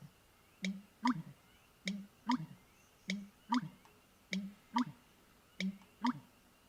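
American Bittern giving deep, gulping, pump-like notes in paired bursts, about five pairs in under seven seconds, with a hollow, knocking drain-pipe quality, heard through a speaker indoors.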